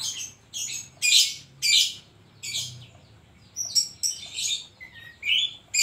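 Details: Oriental magpie-robin in vigorous koslet-filled song: rapid loud scratchy bursts every half second, then a run of varied whistles and chirps ending in a falling whistled slur.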